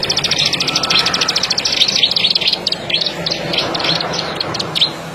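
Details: Plain prinia, known locally as ciblek sawah or ciblek padi, giving a fast run of high, dry clicking notes that continues throughout, with a quieter stretch of uneven chips near the end.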